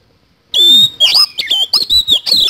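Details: Oriental magpie-robin (kacer) singing lively in its 'isian kasan' song style: after half a second of silence, a loud, clear whistle near the top of its range, then rapid harsh, scratchy notes mixed with bright slurred whistles.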